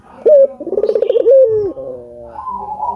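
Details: Collared dove, an albino bird, singing to stimulate other doves: a loud opening coo, then a quick pulsing trill and a sustained note that slides down. Softer higher coos trail off at the end.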